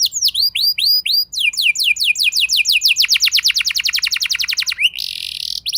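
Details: Canary song used as a lure for other canaries: paired curved whistles, then an accelerating run of downslurred notes forming a fast roll, ending in a brief harsh buzz.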